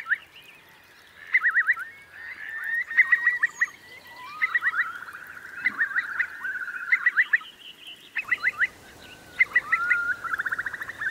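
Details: ['A flock of Eurasian curlews in the Marquenterre wet meadows, Bay of Somme, France, at high tide in October 2021. Clusters of rapid, stuttering bubbling notes repeat through an ongoing chorus of trilling calls.']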